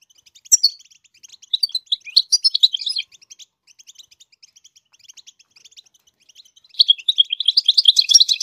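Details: Goldfinch singing so its chicks learn the song. Uneven high twittering phrases come first, then a quieter stretch of soft chirps, then a renewed lively burst of rapid notes.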